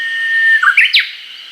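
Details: Japanese bush warbler in a Hokkaido forest in early summer, filmed on a Nikon COOLPIX P950: a sustained whistled tone, then a short, bouncy pair of notes and a loud downward-swooping final note, against a faint continuous buzz.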